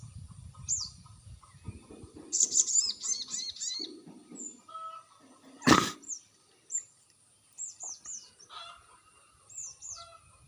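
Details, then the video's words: Lure call of a crested jay to provoke a reply: a burst of rapid, high slurred notes, lower chattering, a loud broadband click at mid-clip, then spaced high downslurred chirps, with a steady high whine behind. "sogon bisu dijamin nyaut dengan pacingan burung sogon ini"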